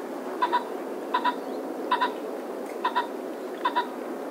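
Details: Common pheasant (Phasianus colchicus) calling short, hoarse doubled 'kok-kok' notes, five times in about four seconds at a steady pace, over soft background hiss.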